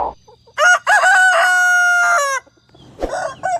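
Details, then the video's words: A rooster crows one long cock-a-doodle-doo. It opens with brief rough notes, then holds a strong, buzzy, steady tone for about a second and a half before cutting off, followed by a softer crow and clucking. "The Sound of a Rooster Crowin"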